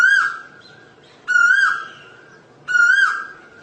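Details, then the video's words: Asian koel calling in a steady series: three clear rising whistles, each with a lingering tail, evenly repeated about every 1.4 seconds against a quiet backdrop. "เสียงนกกาเหว่าหรือนกดุเหว่า Asian koel sound"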